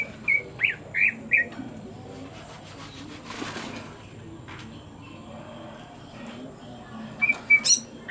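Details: Greater green leafbird; courtship call; sign that the bird is ready to mate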